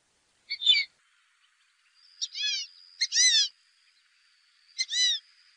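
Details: Fulvous whistling duck call offered for hunting use: a sharp short lead note, then a long falling squeaky whistle. The phrase repeats about every two seconds over a quiet background with a faint steady tone.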